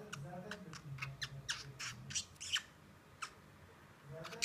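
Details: A pet budgerigar playing with a person's toes, at times squabbling with them, gives rapid, scratchy chirps and squawks in quick bursts, with a low hum beneath.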